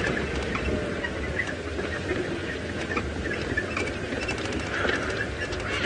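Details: A flock of helmeted guineafowl (Numida meleagris) at Djuma Game Reserve, Sabi Sand, near Kruger Park, South Africa, at sunrise on 4 May 2018, keeps up a continuous, harsh cackling chatter over a steady background hiss.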